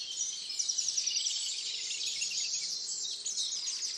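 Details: Dawn chorus at Tophill Low nature reserve, by the picnic table near the main hide, on 30 March 2019: a dense wash of high, overlapping chirps and trills from many birds, with a faint background hum.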